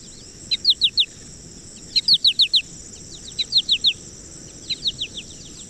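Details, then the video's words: American goldfinch flight call, given when flying and remembered as 'potato chip': short high chips in quick groups of three to five, repeated about every one and a half seconds, over a steady high hiss. "and they make that particular call actually is when they're flying is when they give that call"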